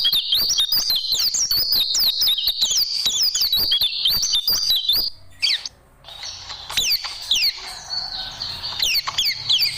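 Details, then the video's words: ['Oriental white-eye (pleci) tembakan song used for training caged birds: a dense run of high twittering and quick slurred whistles for five seconds, then a short lull before sparser sweeping notes and chips follow.'] "Masteran Burung Pleci Dan Tembakan Super Ampuh Pleci Juara"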